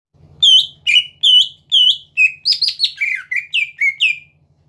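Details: Greater green leafbird, a caged singing bird kept to provoke rival leafbirds into singing, gives a series of loud whistled notes about half a second apart, some with curved inflections, over a faint low hum.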